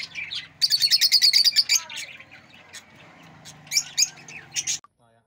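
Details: Rosy-faced lovebird chirping loudly in a fast, even string of piercing high notes lasting over a second, followed by quieter chatter and a few sharp renewed chirps before stopping.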